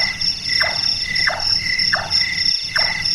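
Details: Four wooden, knocking chonk notes from a Large-tailed nightjar (Caprimulgus macrurus), locally burung tukang, active at night and likened to someone doing carpentry. Each note falls in pitch, and shrill insects sound constantly behind.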